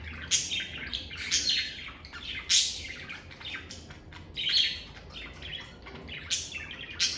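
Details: Lovebirds kept indoors give loud, rasping squawks roughly once a second, mixed with softer twittering chirps between the louder notes.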